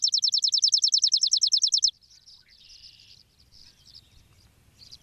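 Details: In fog among apple tree branches, a chipping sparrow delivers a quick two-second run of dry, high-pitched chips. Softer, scattered chirps and a faint buzzy note follow in a quiet background.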